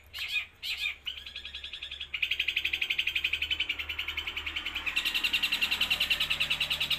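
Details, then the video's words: Mimicking gereja, kuntilanak and tengkek buto without a break, an eight-month-old long-tailed shrike from Jember, East Java, opens with a few harsh chirps, then holds a long rapid rattling trill that climbs slightly in pitch. "CENDET USIA 8 BULAN MATERI SATU NAFAS GEREJA KUNTILANAK TENGKEK BUTO"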